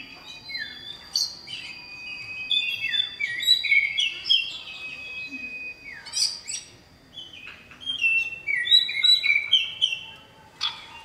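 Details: Male oriental magpie-robin in full voice calling to a female: a loud varied series of high whistled notes, stepped slurs and sharp chirps, with a thin steady high tone behind.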